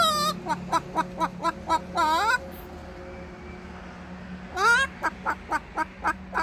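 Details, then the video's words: A Moluccan cockatoo putting on a patio concert gives quick runs of short, ringing yelps, about four a second, broken by long wavering screeches, over a faint steady background hum. "Vocally talented cockatoo entertains neighbors with a patio concert"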